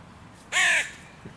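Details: A single loud, harsh, slightly downward-bending caw from a crow at a park music pavilion where three breeding pairs' territories meet and are disputed.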